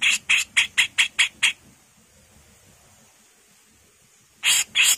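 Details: Female grey-cheeked bulbul producing seven harsh, grating rasps in quick succession, then a long quiet stretch with faint background hiss, ending with two more loud rasps.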